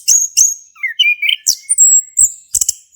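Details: Male orange-headed thrush in full song as a prompt for a thrush that has gone quiet, with sharp high chips, a short warbled whistle, a long thin high whistle and clicks.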